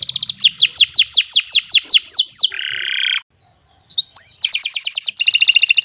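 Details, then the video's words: Canary song meant as a master for young birds: about ten falling whistled sweeps, a buzzy lower note, a second of silence, then a rising whistle and fast high trills. "Kicau Burung Kenari 86 II GACOR PANJANG Cocok untuk Masteran"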